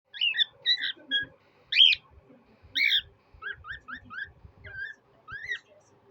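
A cockatiel gives bright, upslurred chirps and short whistled notes in an irregular series.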